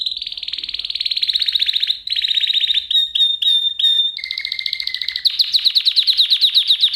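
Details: Canary song used as a lesson for young canaries, with long dense rolling trills, several sharp whistled notes with short pauses, a lower steady tone, and a final fast run of repeated chirps.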